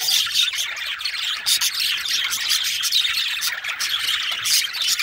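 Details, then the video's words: Singing male budgie keeps up a dense, unbroken stream of rapid chirps, harsh squawky notes and clicking chatter, high in pitch and fairly steady in loudness throughout. "Male Budgie/Parakeet Singing/Chirping"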